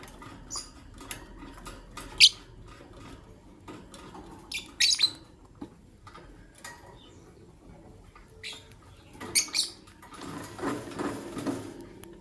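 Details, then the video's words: Green Personata and albino lovebirds in the morning give sharp, shrill chirps in short bursts around two, five and nine seconds, over soft tapping and pattering sounds from the cage and a low background hum. "The melodious chirping sound of Green Lovebird Personata & Albino Lovebird"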